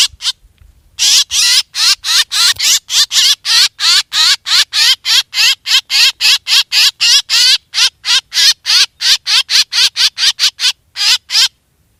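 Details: Black drongo calls played as a hunting lure: a long run of loud, harsh, buzzy notes with stacked rippling tones, given in rapid bursts of about three per second after a brief pause, with no other sounds.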